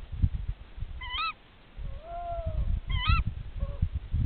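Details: A tawny owl at a nest, in authentic calling between mates, gives sharp, nasal, squawking calls in two bursts about two seconds apart, with a longer, lower, wavering note between them, over a steady low rumble.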